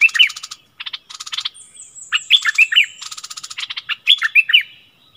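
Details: Decoy streak-eared bulbul singing close: short bubbly chirped phrases alternating with rapid buzzy rattles, a thin high whistle drawn out above, several phrase bursts in quick succession against a quiet background.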